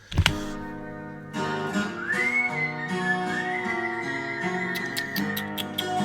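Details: The cockatoo Tico sings Stairway to Heaven, holding a long sustained note wavering with vibrato over strummed acoustic guitar.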